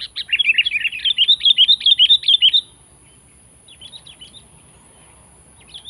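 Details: Sooty-headed bulbul calling to challenge and press a rival: a bright, rapid chattering run of high notes lasting under three seconds, followed by softer scattered note groups in a quiet background.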